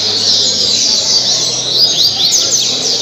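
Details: Double-collared seedeater, Parque Mambucaba, Angra dos Reis, Brazil, in caribe song: shrill continuous twitter with sharp whistled upslurs and downslurs clustered toward the end.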